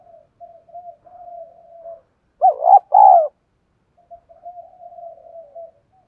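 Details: Decoy spotted dove calling to provoke other males; long stretches of soft, quiet murmured cooing frame one loud burst of two stuttering, wavering coos in the middle.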